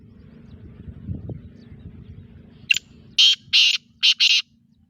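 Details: Black francolin (sindhi teetar) calling: a brief sharp click followed by four loud, harsh, buzzy bursts in quick succession, the last two nearly joined, after a stretch of faint low background rumble.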